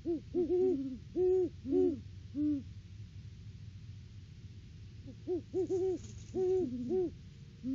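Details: Great Horned Owl pair duetting at their nest tree on 3 December 2022, off-season before February egg laying, live cam audio. Two voices trade rapid deep hoots in bursts, a short pause between them, the second voice pitched a little higher.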